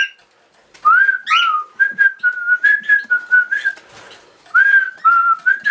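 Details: Pet cockatiel whistles a series of clear, mid-pitched notes, each held briefly with slight wavers, in a halting melody punctuated by short chirps.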